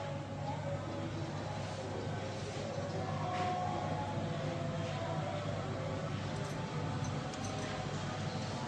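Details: Continuous low rumbling, machine-like noise with a steady humming drone throughout.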